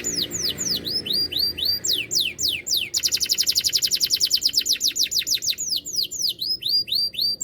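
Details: Loud-voiced canary in constant song: sweeping falling whistles, then a quick, rattling trill of clipped notes that slows into spaced downslurs before hooked whistles resume.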